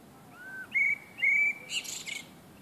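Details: On a summer evening, a common blackbird sings a low mellow whistle, then two loud level fluted notes, and finishes with a burst of harsh, high scratchy twittering, the classic ending of a phrase.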